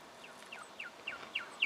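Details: A juvenile brown goshawk in Victoria, Australia, in October 2011 gives six short, thin, downward-sliding notes about every quarter second, growing louder, over faint background hiss.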